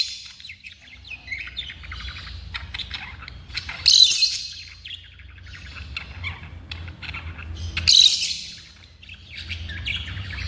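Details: Pet African lovebirds twittering and chattering continuously, with two piercing shrill screeches standing out about four seconds apart over a background hum.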